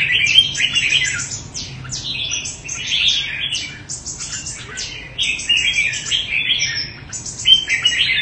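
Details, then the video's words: Red-whiskered bulbul from Đại Quang, Quảng Nam, Vietnam, a promising bird kept by a breeder, singing bright, rapid warbled phrases of clear chirps and slurred whistles in quick succession, with a steady low hum beneath. "Chào mào tố chất Quảng Nam"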